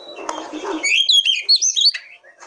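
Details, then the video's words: A territorial Oriental magpie-robin delivering a brief, dense run of high whistles and twittering slurs after a muffled low start, with short sharp notes fading at the end. "Pancingan Kacer Paling AMPUH,Untuk Pancingan kacer BAHAN agar Cepat Gacor"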